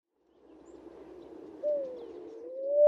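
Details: Namaqua dove in Kenya: after a second and a half of faint low rustling, a single clear, soft tonal note begins and glides gently up and down, ending as it swells louder.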